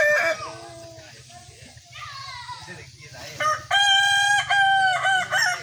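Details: Kukuak balenggek rooster crowing at a sparring contest: quieter drawn-out calls and a low hum open, then a loud, rich, harmonic crow of several chained syllables fills the last two seconds.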